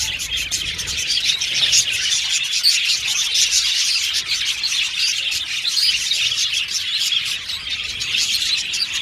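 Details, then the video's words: Crowd of budgerigars in an aviary chattering nonstop, busy high chirps and warbled squeaks layered on one another, with occasional sharper whistled notes. "Budgies Chirping Sound"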